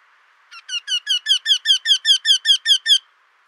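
Eurasian wryneck giving a run of about thirteen nasal, ringing 'quee' notes, evenly spaced around five per second, with nothing else audible.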